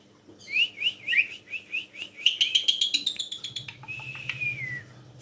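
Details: Tame black-collared starling used to lure other birds to sing: repeated slurred chevron whistles that speed into a rising buzzy trill, then a long descending whistle over a low hum.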